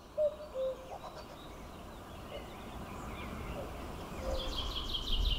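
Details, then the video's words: A common cuckoo (Cuculus canorus) in Norway in 2019 gives one clear, falling two-note 'cu-ckoo', then a fainter single note, over a steady rumble and high chirps from another bird. "Gjøk (Cuculus canorus)"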